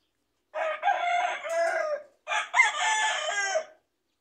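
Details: Rooster from a home flock of fighting-breed cocks and chicks; two loud hoarse crow phrases back to back, each over a second long, with a brief pause between, no other sounds.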